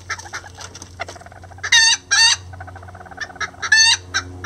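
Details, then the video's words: Rare Lavender bantam roosters and hen cooperating to build a nest: soft, steady clucking punctuated by two loud, grating squawks and a third harsh burst near the end. "Miniature Roosters And Hen Build A Nest Together | Chicken Sounds Lavender Bantam"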